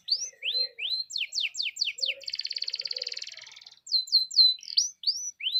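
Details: Canary delivering a lure song that prompts other canaries to sing: upslurred whistles, fast steep downstrokes, and a long rolling trill that fades away. Faint low warbling notes sound underneath.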